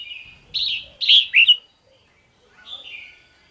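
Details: Morning song of a red-whiskered bulbul, 'ché' style: a rich burst of three or four loud, liquid whistled notes sliding up and down, then a pause and a softer, descending warbled phrase.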